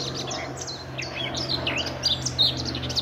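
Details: Male Eurasian blackcap singing from a set of trees near a car park and picnic area at RSPB Fowlmere in May 2014, holding a territory; rapid, varied warbling of quick chirped and slurred notes, fairly high and dense, over a low steady hum.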